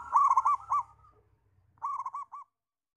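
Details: Local zebra dove giving two bursts of rapid, soft, purring coo notes, each a quick staccato run of short rolling notes about a second apart, clean with no background sound.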